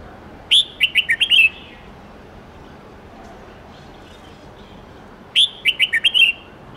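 A red-whiskered bulbul gives two bright, bubbly phrases of five or six quick whistled notes, about five seconds apart, over a soft background hiss.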